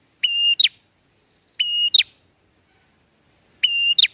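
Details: Bar-winged prinia in drawn-out style, used as a lure for catching birds: a steady level whistle followed by two quick sharp notes, the phrase repeated about every one and a half seconds with silence between.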